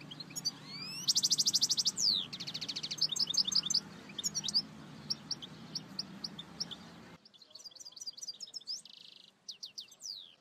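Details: European goldfinch singing in a goldfinch tutoring recording: buzzy trills and rapid chirping phrases over a steady background hiss, which cuts out after about seven seconds, leaving clearer, sparser twittering notes and another short buzzy trill.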